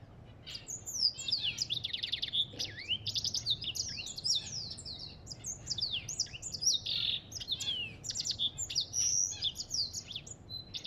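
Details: African goldfinch singing a rapid, continuous twittering song of high sliding whistles, buzzy trills and chattering notes, nearly unbroken for eleven seconds over a faint low background hum.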